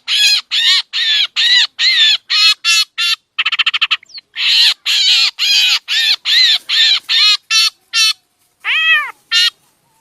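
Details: Trapping lure of a black drongo, Lao and Isan: rasping squawks in quick succession, a brief fast rattling burst in the middle, then a pause and a few clearer, downward-arching harsh notes near the end.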